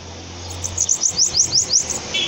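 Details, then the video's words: Short burst of bananaquit song from a bird held on a hand: a quick series of high, thin, slurred notes in a tight trill, with a low steady hum in the background. "SIBITE CANTANDO NA MÃO"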